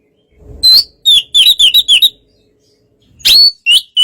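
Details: Oriental magpie-robin in easy, relaxed song aimed at provoking another bird to answer; a rising whistle, then a quick series of about six short sweet notes, a pause of about a second, and two more whistled notes.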